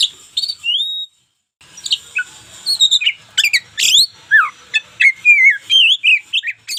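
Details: White-rumped shama, local strain, singing a rich medley: clear whistled rising notes, a short break, then dense sequences of sweeping chirps and warbles.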